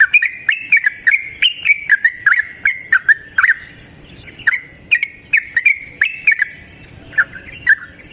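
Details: Yellow-vented bulbul in lively, continuous 'ropel panjang' song used as a lure to make other bulbuls sing: rapid chattering runs of bright, bubbly notes rising and falling, phrases repeated with short gaps.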